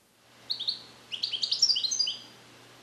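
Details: European goldfinch bred in captivity in 2021 and practising Neapolitan song passages; two clear high notes lead into a quick cascade of twittering, slightly buzzy trills.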